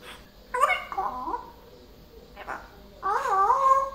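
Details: Talkative indoor pet parrot voices two speech-like phrases with wavering, bending tones, the second longer and rolling, separated by a brief pause and a soft click.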